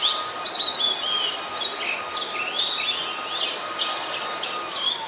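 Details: Oriental magpie-robin, a very common resident, singing in Ubon Ratchathani, Thailand, on 26 December 2020; varied whistled phrases, sweeping and slurred between high notes, delivered continuously, with a steady faint hum underneath.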